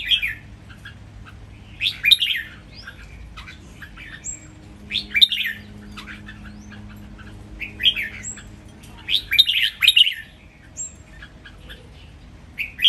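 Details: Caged red-whiskered bulbuls match song against each other in a master song used for training: spaced bursts of sharp rising whistles every two to three seconds, with thin high notes between.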